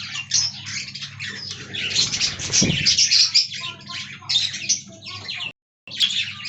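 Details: Colony of budgies in an aviary producing overlapping rapid chirps and scratchy warbles with a short louder burst, a low hum underneath, then a brief full silence before chirping resumes.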